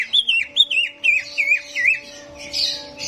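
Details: Simulated competition arena with greater green leafbird song to stir up hesitant birds: a few looping, warbling whistles with wavy pitch, followed by a buzzy hiss, over a constant low hum.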